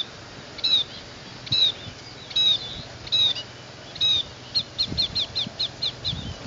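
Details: Scaly-breasted munia (nutmeg mannikin, native to tropical Asia, kept as a pet) giving thin, high whistled notes about once a second, then a quicker run of short high chips, with faint low background noise.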